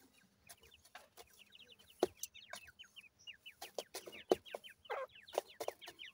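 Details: Grey francolin chicks kept for breeding, from a gora teetar father and dakhni teetar mother, cheep continuously in high, slurred notes from several birds at once, mixed with loud taps and scuffling.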